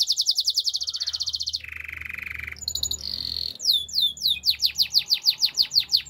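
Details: Belgian canary singing a varied song: rapid high ticking trills, then a lower buzzy steady trill, a brief whistled note, and a run of fast rising-falling sweeps repeated several times a second.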